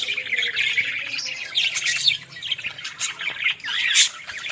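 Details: Village Australian parrots give a steady flow of high, raspy twitters and squeaks. Several birds call over one another, ending with a sharper squawk.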